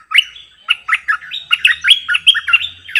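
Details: Bulbul decoy bird singing many songs in a doubled song style: a rapid run of bright, chattering whistled notes, rising and falling, delivered almost continuously for three seconds with no other sounds.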